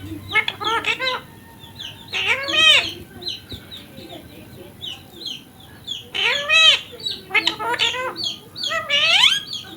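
A ringneck parrot talks in shrill, nasal bursts of mimicked words, about six short phrases with rising and falling pitch, spaced every second or two.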